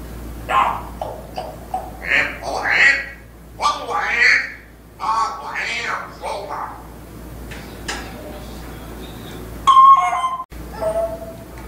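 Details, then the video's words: African grey parrot speaking phrases, its repertoire said to include part of Surat Al-Ikhlas; a run of hoarse, speech-like syllables for eight seconds, then a short bright whistled burst, constant low electrical hum throughout. "ببغاء افريقي جمل وصوت مميز"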